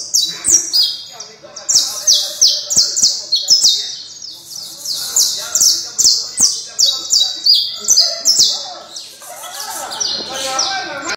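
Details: Canario criollo delivering a long, rolling song of rapidly repeated high downslurred notes, about three per second, shifting pitch between phrases, ending in a softer twittering stretch, with scattered sharp clicks.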